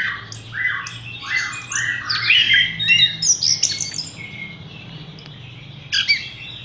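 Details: Horsfield's bush lark, a caged bird hung up straight away, singing a rapid jumble of varied chirps and squeaky notes at high pitch, with short trills and buzzy phrases in bursts, then a brief pause before a last flourish.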